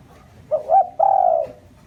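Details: Spotted dove decoy calling to excite wild birds, with a brief coo climbing into a higher note, then one long, smooth, even coo. Faint low noise lies underneath.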